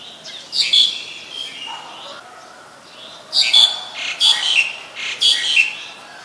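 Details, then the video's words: Black-collared Starling (Gracupica nigricollis) at Ubon Ratchathani, Thailand, 2 January 2020, gives harsh, squeaky chattering calls in half-second bursts, several in quick succession, with a faint lower note between them. "นกกิ้งโครงคอดำ Black-collared Starling"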